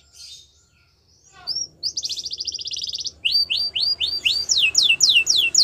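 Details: Yellow canary singing, said to be in the wild: a buzzy rattling trill near the start, then a run of fast repeated downslurred whistled notes, about four per second, rising in pitch toward the end.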